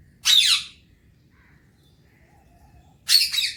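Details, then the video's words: Alexandrine parakeet kept as a talking parrot, enjoying morning time; two loud raspy screeches nearly three seconds apart, with faint soft notes between. "alexandrine parrot enjoying morning time"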